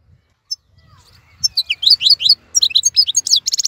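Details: Wild (khalawi) European goldfinch singing while other birds moult in silence; after a quiet start with one short note, rapid high twittering phrases build up and end in a fast, buzzy trill, over faint low rumble.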